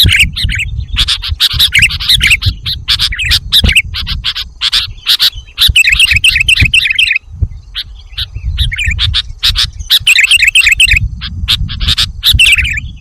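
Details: Sooty-headed bulbul (kutilang jawa) on bird-luring audio, giving rapid runs of sharp chirps and bubbly warbled notes in busy clusters over a steady low rumble, with a short lull midway.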